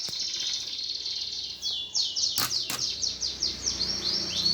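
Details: Greater green leafbird fighting song for goading contest birds: a fast series of high, downswept chattering notes repeated several times a second over a constant high hiss, with two sharp clicks.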